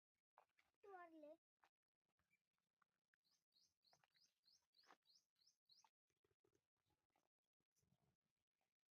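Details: Peacock giving a cat-like call: one wavering, mewing note with a rich harmonic stack near the start, followed by a run of about ten short, high chirps from another bird and scattered clicks.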